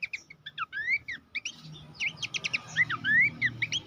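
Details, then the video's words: Abbott's babbler master song for training songbirds: lively mix of short chirps and long rising whistles, repeated in quick irregular phrases. "masteran mewah khas pelanduk semak"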